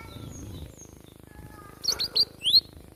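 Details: A wild Java sparrow in a fight gives a sudden run of four or five shrill, rising chirps near the end, after faint high whistles and soft low hum.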